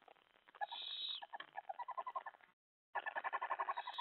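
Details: Owls at a nest during a night feeding with a mouse delivery on July 25, 2017, at 2:07 AM. Harsh, rasping notes repeat rapidly, about three or four a second, in two bursts separated by a short gap.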